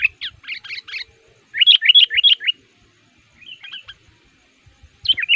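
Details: Sooty-headed bulbul used as a decoy to lure wild males in the forest, described as agitated and singing actively against rivals; quick bursts of bubbly, liquid chirping notes in short runs, separated by brief pauses.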